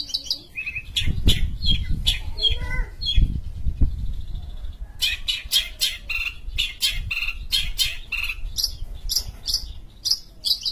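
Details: Long-tailed shrike from Sumatra, said to sing as actively as local songbirds and to serve as a master bird: busy run of sharp chirps and scratchy notes with short pauses, some harsh rasps, over low rumbling handling noise.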